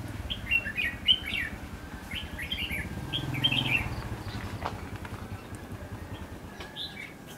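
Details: During bulbul trapping in Lương Sơn, a red-whiskered bulbul gives quick runs of chirpy, warbling notes in the first four seconds, then quieter single notes, over low rumbling noise.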